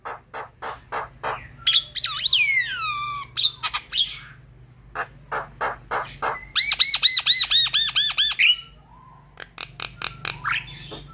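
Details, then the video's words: Javan myna song, loud and chattering: harsh broadband squawks repeated about twice a second, a long wavering whistle sliding up and down, then a fast run of rich harmonic notes, ending in more harsh squawks. "Jalak kebo yang diam kurang cerewet coba..pancing dengan suara jalak kebo ini"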